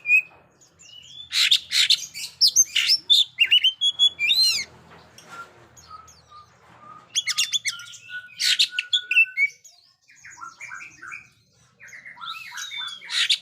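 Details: Lively ngobra-style Oriental magpie-robin, meant to test silent young birds. Varied song of dense chattering bursts, down-slurred whistles and drawn-out level whistled notes, separated by brief quiet gaps.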